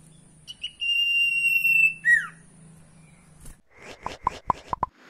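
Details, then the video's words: Sirtu song with many variations, used as a lure to prompt a silent sirtu to sing: long, pure, steady high whistles, then a falling slurred note and a quick run of sharp clipped notes, over faint electrical hum. "SUARA SIRTU"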